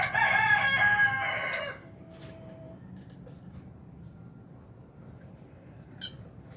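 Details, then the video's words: Lovebirds, albino and Fisher's, in an aviary: a loud, harsh, buzzy squawking burst for nearly two seconds, then quieter background with a faint short chirp near the end. "Lovebirds Chirping Sounds"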